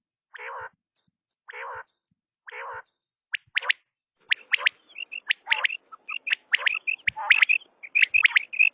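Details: Three rough, buzzy quail notes spaced about a second apart lead into an increasingly busy stream of sharp, high chirps.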